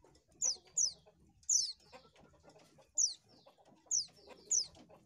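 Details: High descending whistled calls of an Oriental white-eye, played to lure birds, coming singly and in quick pairs, six to seven in five seconds, over soft low background noise.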